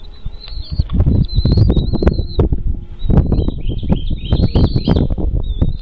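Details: Bald eagle at a wild nest with chicks: thin, high, slightly wavering whistled calls in short runs, some sliding up or down, over constant heavy low rumbling and thumping noise.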